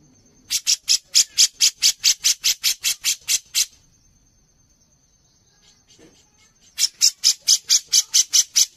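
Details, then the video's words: Cucak jenggot (Grey-cheeked bulbul) chattering in a master recording for songbird contests: a fast run of about fourteen harsh, evenly repeated high notes, a quiet gap of three seconds, then another rapid burst of the same notes. "CUCAK JENGGOT GACOR | Masteran Wajib Untuk Lomba Kicau"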